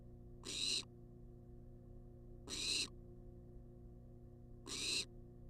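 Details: Nest-box barn owl, wild and filmed on a live camera, demanding food with three noisy, snoring hisses about two seconds apart; steady faint hum fills the pauses.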